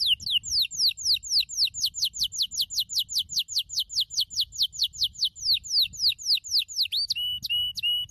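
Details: Brown Norwich canary delivering a rhythmic run of sharp descending whistled notes, about four per second, closing with a few short buzzy notes.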